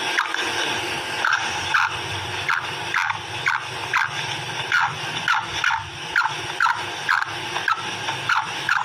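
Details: A female black francolin repeats harsh, squealing call notes in a steady rhythm of about two per second, with a continuous low hum underneath.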